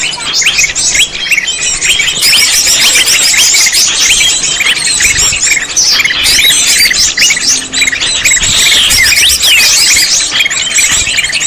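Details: Greater green leafbird sound used as a lure for trapping, said to be proven effective: a loud, unbroken torrent of high twittering chirps and rapid trills that fill the whole stretch without pause.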